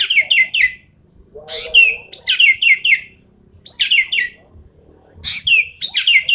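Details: Javan pied starling singing a full, rapid-fire song used to train contest birds: bursts of three or four harsh, descending whistled notes with rich harmonics, repeated in clusters about every second and a half, plus a lower buzzy phrase.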